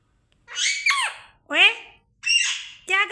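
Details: Indoor parrot imitating "oye oye": four harsh, nasal syllables, each sliding down in pitch, in quick succession with brief gaps.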